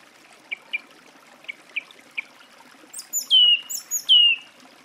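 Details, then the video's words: Song thrush giving five faint, short notes spaced unevenly, then loud phrases that begin very high and sweep down into a strong whistle, with the phrase repeated twice. "Голоса птиц. Дрозд певчий (Turdus philomelos)"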